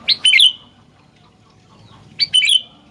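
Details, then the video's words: Sooty-headed bulbul giving two loud, quick phrases of sharp, bubbling chirps about two seconds apart, with quiet between them. "Burung Gentilang Gacor"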